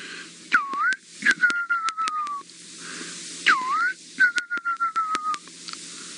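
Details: Fiery-necked Nightjars calling in the distance at sunset in Sabi Sand, South Africa, in September: a clear whistled phrase given twice, about three seconds apart, a short dipping note then a long, slightly wavering note sliding down, with sharp clicks nearby.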